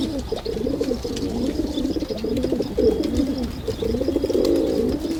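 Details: A chorus of pigeons gives throaty, purring coos in long overlapping runs, deep and wavering, with faint chirping far behind.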